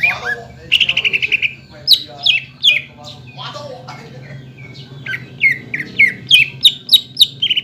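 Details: Greater green leafbird song used to lure other leafbirds into singing: a fast trill of repeated buzzy notes, then varied squeaky phrases and a run of sharp downslurred chips, over a steady low hum.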